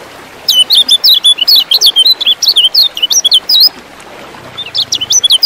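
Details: Kecial kuning, the lemon-bellied white-eye, sings a quick chattering string of sharp, high, up-and-down notes for about three seconds. A fresh burst begins near the end. The song is used to provoke contest birds into singing.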